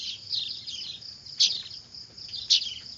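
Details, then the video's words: Weaver (manyar) chicks making a racket, suited for luring birds: continuous scratchy, high chattering with two louder sharp chirps standing out about a second apart. "Suara anakan burung manyar ribut cocok buat pikat"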